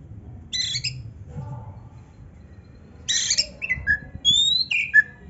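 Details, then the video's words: Kacer, or Oriental magpie-robin, singing a 'full isian' master song: harsh buzzy chatter, a low warbled phrase, then clear descending and rising whistled notes in quick succession. "kacer gacor full isian MEWAH NARUNG‼️Auto NGOBRA BUKA EKOR - Ampuh Bikin Kacer Cepat Gacor‼️"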